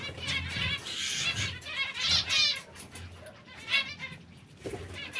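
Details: Several canaries in brown, red and yellow plumage produce bright chirps and a brief rapid trill near the middle, with soft wing flutters and a low background hum.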